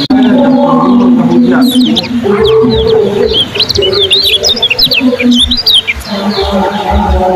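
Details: Competition yellow kecial delivering speedy 'ciak' chatter: rapid sharp high chirps in a busy burst, over steady low cooing from doves in the background.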